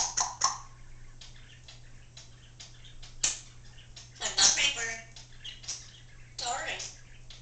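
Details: A pet Congo African grey parrot chattering indoors, with phrases such as "give me a kiss" and "dance dance dance" in its repertoire; rapid clicks and short speech-like bursts over a constant low hum.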